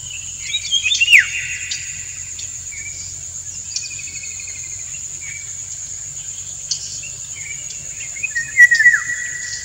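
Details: During courtship, a male Indian golden oriole (Oriolus kundoo) sings to a dancing female, giving short downslurred, slightly harsh notes near the start and again near the end, over a steady high insect trill and a low hum.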